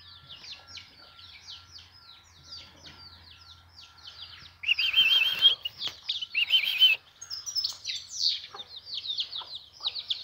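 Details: Goldfinch heard with a Van-type goldfinch in spring weather: a fast continuous twitter of high notes, joined midway by louder buzzy rising phrases, over a low constant hum.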